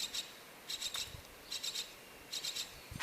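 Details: Myna chick in a nest in a bird house, waiting for its mother, gives harsh, raspy hissing notes in quick clusters of three or four, repeating about every three-quarters of a second.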